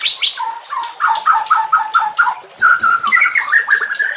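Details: White-rumped shama song meant for training captive birds: a harsher, buzzy passage of repeated chattering notes, about five quick pulses a second, then a denser, rising rattle of mixed notes.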